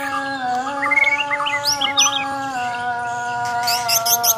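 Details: A white-rumped shama of the Borneo type sings a short fighting phrase. Clear rising and falling whistles and a few trilled notes are followed by quick high ticking bursts, above a steady multi-tone drone.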